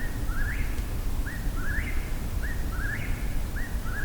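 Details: Eastern whip-poor-will singing its rolling, rising three-part whistle about once a second at night on an uphill hike, over a steady low rumble of night background noise; more than one bird vocalizing nearby.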